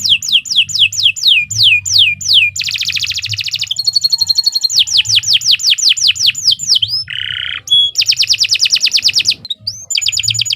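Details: Canary singing a long varied song for song training: series of descending whistled notes, dense buzzy trills, rapid rolling tours and a harsh lower rattle, with a faint low hum underneath.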